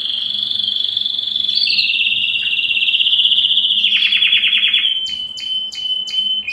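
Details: Belgian canary in song: a long sustained rolling trill that steps down in pitch, adds buzzy pulsed notes, then ends with a steady tone and a few sharp chips.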